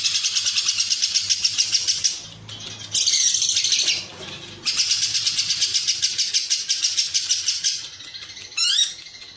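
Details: Lovebird giving a long ngekek song of the Cililin style, used as a master recording for training competition birds: fast, high, shrill chattering trills in long continuous bursts with brief pauses, ending in a rising squeaky note.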